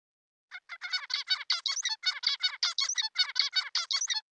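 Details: A male zebra finch sings his own individually unique courtship song, sung to females: a rapid run of buzzy, harmonic-rich notes and sharp clicks, stacked high, its roughly one-second motif repeated for nearly four seconds.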